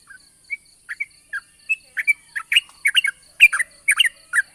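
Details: Yellow-vented bulbul lure song recorded in the morning: starts with spaced single chirps, then speeds into a lively stream of gurgling, bubbling notes in close clusters, with a steady faint high whine throughout.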